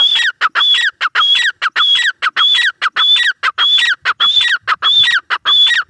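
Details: Grey francolin, called teetar, repeating its harsh ringing call very regularly, each phrase a high whistled note followed by a descending note, about ten phrases in steady succession.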